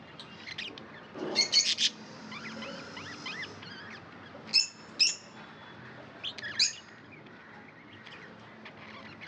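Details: Domestic budgerigars with a few scattered sharp high chirps and a short twittering burst, separated by long quiet stretches.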